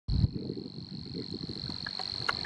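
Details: Savi's warbler at Poça do Vau: a steady, unbroken high buzzing reel holds one pitch through the whole stretch, over a low rumble of wind and background noise.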